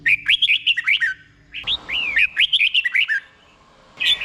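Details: Caged red-whiskered bulbul singing a slow, clear doubled-style song, played for other caged bulbuls to copy: two bursts of bright, warbled whistled notes with quick up-and-down slurs, separated by a short pause, then a brief final phrase.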